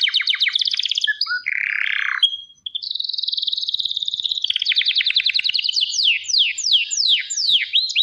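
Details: Canary singing splendidly: fast trilled phrases alternating with a buzzy low section, a sustained high whistle, then rapid repeated chips and sweeping downward slurs, loud and clear with no other sounds.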